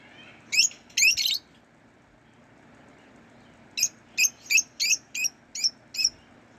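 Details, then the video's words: A lovebird gives shrill, sharp chirps: a quick burst of three, then after a pause a run of about eight evenly spaced notes, over a faint background hum. "Love Bird Sounds and Singing"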